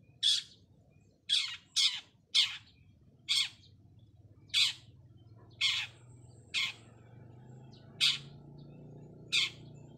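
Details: Single harsh, screechy notes from a 'cendet trotol' long-tailed shrike calling for a rival, spaced roughly one per second, some doubled, each a short rasping squawk over quiet background.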